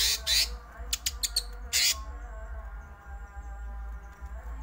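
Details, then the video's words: Greater green leafbird in agitated 'ngerol' rolling song: two long rasping bursts, then a quick run of short sharp notes and another harsh burst, followed by quieter faint ticking against a low hum. "cucak ijo ngerol ngamuk"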